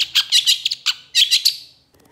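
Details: Long-tailed shrike (pentet) in vigorous, emotional song. Tightly packed harsh, squawking high notes run together, with a brief gap before a final buzzy phrase that trails off.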